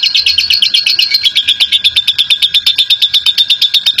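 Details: Long ngekek song of a national champion lovebird, a lure to set other lovebirds singing: a dense, scratchy, high chatter of rapid beats, close to three per second, steady and unbroken through the whole stretch.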